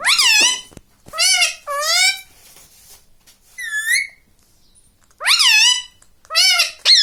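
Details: Pet green ring-necked parakeet kept indoors, giving loud harsh wavering squawks in bursts of about half a second, each a stack of bent tones, repeated five times with short pauses in a quiet room.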